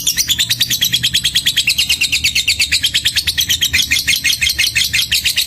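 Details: Fighter lovebird in ticking ('ngetik') song during a mental test: loud, relentless high-pitched ticks, roughly three per second, evenly pulsed across the whole stretch with slight wavering in pitch.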